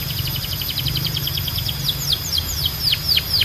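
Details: High canary-like song over a steady low hum: a quick run of short, evenly repeated notes, then slower, louder downward-sweeping whistles repeated roughly every quarter second.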